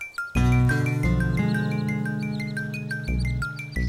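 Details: Chiming bell-like music with sustained low notes fills the recording, with no animal sound heard.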